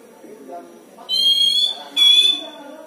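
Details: Caged Oriental magpie-robin kept at home by a songbird hobbyist, giving an unusual sound: two loud, nasal, harmonic-rich notes, each about 0.7 seconds, separated by a short pause, over faint low household background noise.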